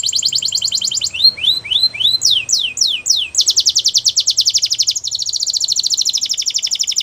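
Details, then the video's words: Belgian canary singing: a fast high buzzy trill, then a run of sweeping rising whistles, then long rapid rattling trills, all loud and continuous. "The Most Beautiful Canary Singing | Belgian Canary Song"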